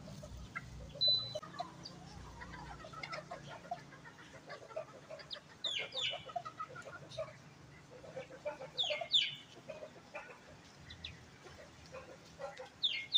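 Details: Bantam chickens gathering together at feeding time at a composite workshop in Bandung, Indonesia: a busy flock of soft low clucks mixed with sharp, high, downslurred squeaks that come in scattered bursts, with a steady low hum underneath.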